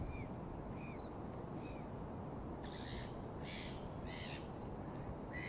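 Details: Moorhens at Sammies Pool, Fenton, Stoke on Trent, Staffordshire, United Kingdom, recorded on a mobile phone on 14 December 2021. Short clipped calls come first faint, then louder and harsher, over steady low rumbling background noise.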